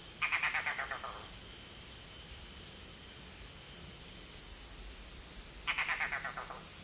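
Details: Red-bearded bee-eater at its nest calling out to its young before going in. Two short bursts of rapid, rasping croaks, each about a second long and several seconds apart, with faint background hiss between them.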